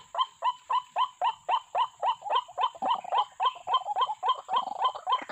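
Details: White-breasted waterhen (ruak-ruak), played as a lure for trapping birds: a steady series of harsh, croaking two-part notes repeated about four times a second, each with a strong middle tone and a higher overtone, over a constant high electronic whine.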